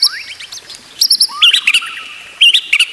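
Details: Brief white-rumped shama song for training other shamas: a few upslurred notes, then clusters of sharp high chips and short whistled flourishes in quick groups.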